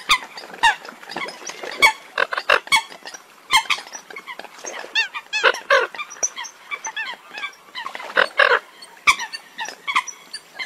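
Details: Eurasian coots recorded outside Vietnam give a dense series of abrupt, clipped honks and sharp nasal notes in quick irregular bursts, with several birds calling over one another.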